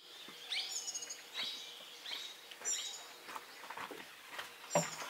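Russet sparrow giving bright, high chirps, several in quick irregular succession, some overlapping as if from more than one bird, over steady background hiss.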